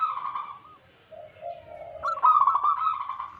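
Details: Lure recording of wild local zebra doves: drawn-out warbling coo, a lower soft droning note, then a louder rolling burst of cooing notes.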